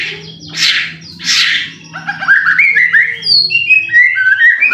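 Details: White-rumped shama song used as a lure to provoke a bird into singing: harsh noisy bursts followed by a run of clear whistled notes stepping and sliding between phrases, over a faint low steady hum.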